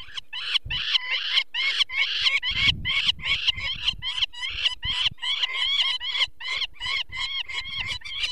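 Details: Loud grating kek-kek-kek of a peregrine falcon alarmed while a chick with eye problems is taken from its nest, Barycz Valley, Poland, 2 May 2023. Notes come in a fast, slightly uneven stream over occasional low thumps.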